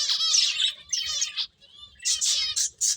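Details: Finches give harsh, nasal, buzzy chirps with a ringing tone, in runs of notes broken by a short silent pause in the middle before the chatter resumes.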